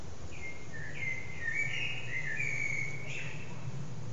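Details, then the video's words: Common blackbird singing its evening song at sunset, recorded on a phone: a warbled phrase of fluting whistles around mid pitch, sliding and joined over about two seconds, followed by a few higher thin notes, over steady low hiss. "Sunset with Blackbird's evening song"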